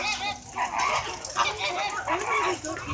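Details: Flamingos in a flock trading squawks, a noisy conversation of nasal, honking calls that overlap continuously with slight rising and falling inflections and no pauses.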